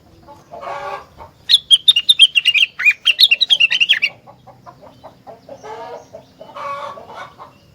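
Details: Rengganis singing, a call meant to make other rengganis sing in response: a fast burst of sharp, high chirped notes lasting about two and a half seconds, set between lower throaty warbling phrases before and after.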